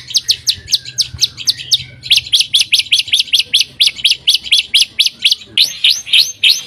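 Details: White-rumped shama singing steadily as a lure for other shamas, delivering fast, evenly spaced high chips about four per second, with a short whistled phrase early on and a soft low background hum.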